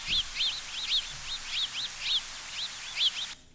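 House Sparrow flight calls: a run of about twelve short, chirpy, up-and-down notes, roughly three per second, high-pitched over faint background hiss.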